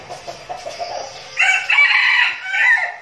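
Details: Red junglefowl decoy flock training, Bình Phước, Vietnam; soft clucking first, then a loud, clipped, high crow lasting about one and a half seconds.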